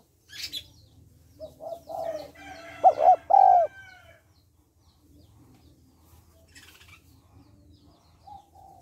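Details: Female spotted dove calling to stimulate males: soft, scattered coo notes build to a loud, wavering double coo near the middle, then quiet with brief rustling noises.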